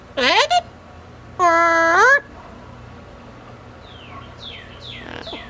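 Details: Pet double yellow-headed amazon, a female, talking during a cage outing: two loud rising, harmonic word-like utterances, then softer downward-sliding whistles over a quiet indoor hum.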